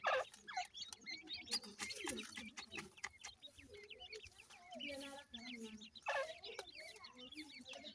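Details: Francolin (teetar) chicks calling together in a dense, overlapping chorus of short, thin, high peeps that rise and fall quickly. Lower soft clucking notes sit underneath, with some background noise.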